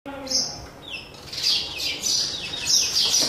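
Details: Sparrows fighting each other over a new nest box: a brief tonal sound opens, then dense, high, scratchy chirps and sliding squeaks pour out in overlapping bursts from several birds through the second half.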